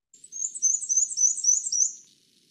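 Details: A Black-and-white Warbler, a breeding warbler of Newfoundland, sings a thin, very high series of rapid two-note squeaks, like a squeaky wheel turning, lasting about two seconds.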